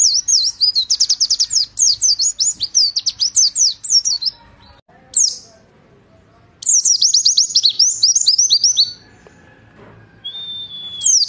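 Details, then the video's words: Warbling white-eye 'nembak' tutor song for teaching pleci birds, dense volleys of rapid high chattering notes, a silent gap, then another racing burst and a single drawn-out thin whistle. "Masteran Pleci Nembak 2018"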